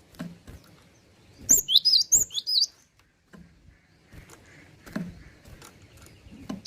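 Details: Java sparrow in good song giving one short burst of rapid high tinkling notes lasting about a second, followed by scattered soft clicks and taps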